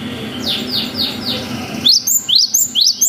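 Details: Faint, sliding high notes give way to a clear cinereous tit 'wucit' series of loud rising whistles, repeated evenly, from a lure recording meant to make young tits answer.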